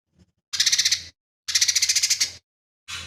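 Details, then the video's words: Two harsh rattling bursts from a lesser green leafbird, each a rapid series of about eight to ten buzzy pulses, the second longer, then the start of a third; song rich in imitations of sparrow, kingfisher and cililin. "CUCAK IJO MINI GACOR"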